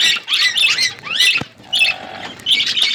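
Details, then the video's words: Budgerigars chirping in an outdoor aviary: bursts of dense, scratchy warbling chatter with brief squawks, broken by short quiet gaps, several birds calling together. "Budgies in my outdoor aviary birds chirping sound"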